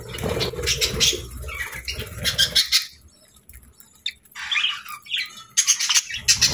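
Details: Happy budgie chatter: a busy burst of high chirps and scratchy notes, a brief lull, then scattered chirps and more chatter returning.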